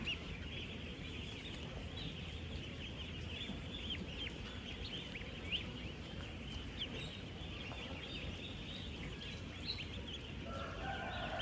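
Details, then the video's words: Young ducklings, ten days old, thousands together on a real duck farm: an even, dense wash of high, rapid peeps with no gaps and no single bird standing out, over constant low-frequency farm noise. "16,000 Ducklings Making AMAZING Sounds!"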